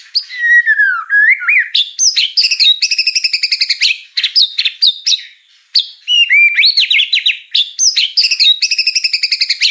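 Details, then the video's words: White-rumped shama (murai batu) singing a full song packed with mimicked fill-in phrases: a sliding whistle drops and rises, then loud rapid chattering bursts and repeated high notes, with a short pause before another varied run. "murai batu ful isian"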